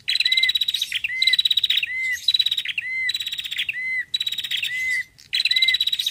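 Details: A female bar-winged prinia gives high, rapid buzzy trills in bursts of about a second, each ending in a lower slurred note, repeated steadily with short pauses, used as a lure song.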